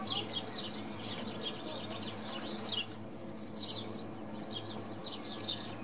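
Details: Swallows recorded at Wicken Fen: clusters of thin, high chirps and warbling twitters, briefly pausing midway, then resuming, with low hum and a faint voice in the background.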